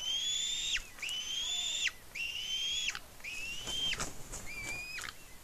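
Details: An eaglet at a nest on Smøla, Norway, on 7.12.18 squees with excitement while eating a fish its parent brought: five thin, level, high whistled squees, each about a second long, ending in a sharp downward drop, roughly one per second.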